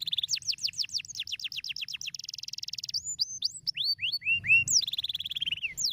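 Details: Canary singing to stimulate other canaries: a fast series of repeated rising sweeps, then a rapid high rattle, scattered upslurred whistles and a buzzy descending roll, delivered continuously and clearly.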